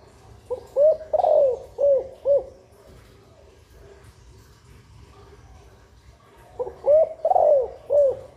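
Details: Female spotted dove giving a call used to stimulate nesting, making females lay sooner and rousing males; two bursts of soft, low, hooting coos, four to five notes each, separated by a quiet pause of several seconds.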